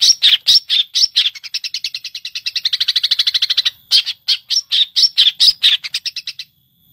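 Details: Caged competition long-tailed shrike from Indonesia, kept by songbird hobbyists, singing mimicked material. Loud harsh chips repeat about twice a second, then run into a long even series of fast buzzy notes before the spaced chips return.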